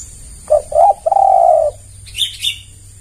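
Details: Lure coo of a spotted dove meant to provoke replies from other doves: two short coos and a long level coo, then brief higher chirpy notes from another bird.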